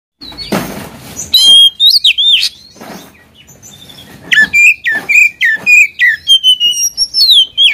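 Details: Oriental magpie-robin singing hard to agitate and provoke a rival: a short noisy burst, then loud, clear whistled phrases with rising and falling slurs and a rapid repeated sequence of bright notes.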